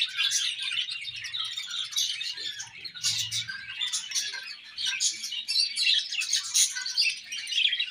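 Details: Budgerigars singing and chirping while at play: unbroken, lively high chatter of rapid tweets, squawky notes and buzzy trills, steady in loudness throughout.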